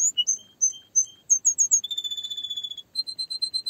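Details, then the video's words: Singing canary: spaced chirps rising into a quick high cluster, then a long buzzy trill and a final run of even repeated notes. "Canary singing"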